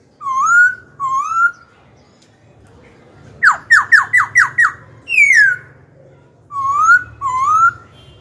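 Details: Black-throated laughingthrush, kept as a songbird, singing to provoke rivals and train young birds. Two gently rising whistles, a burst of six rapid sharp downslurs, a sweeping falling whistle, then two more rising whistles. A low hum runs underneath.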